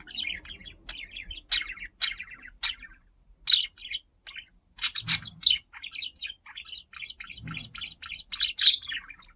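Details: Pet parakeet getting to know a camera, warbling continuously in rapid high twittering notes, broken by brief gaps, with faint low thumps now and then.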